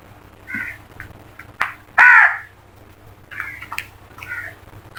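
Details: A flock of crows calling: a scattering of harsh, hoarse caws from several birds, one loud drawn-out caw near the middle, fainter caws before and after, over a steady low hum.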